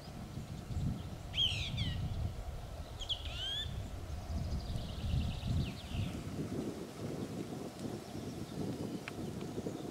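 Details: Song thrush singing at Gajary, Zohorský kanál, Slovakia, 18 April 2024: three short, bright phrases of whistled and trilled notes, each about half a second, over steady low wind rumble.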